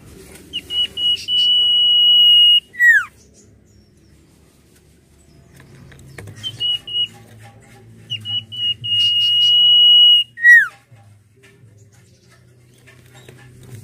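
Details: Common iora in lively nyiul song, used as a lure for training birds: short pips lead into two drawn-out steady whistles, each closing with a dropping note, with low hum between phrases.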